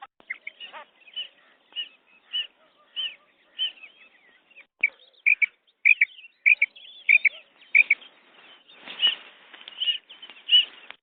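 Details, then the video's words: A female quail, whose call is used for hunting, gives high, short chirping notes about one or two a second, some in quick doubled bursts, with faint background noise. "female quail sounds | مادی بٹیر کی زبردست آواز شکار کے لیے"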